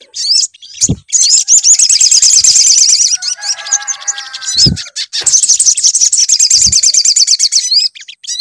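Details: Sunbird, locally called sogon, heard on a lure recording meant to get a bird singing: dense, high, rapid twittering trills in long bursts, broken by brief pauses and a few low thumps.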